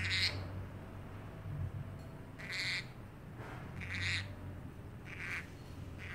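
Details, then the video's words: Caged pet parrotlet, kept indoors and known for mimicking a cat's meow, giving short, bright, squawky calls in scattered bursts about every second or so, with a steady low hum behind. "parrotlet making funny sounds and meowing like a cat"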